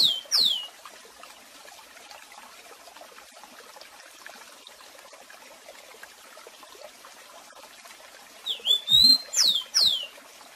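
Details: Rusty-collared seedeater singing Tico Tico do Café tutor song: a brief whistled phrase at the start, a long stretch of soft trickling, water-like noise, then a short burst of whistles and steep down-slurred notes near the end.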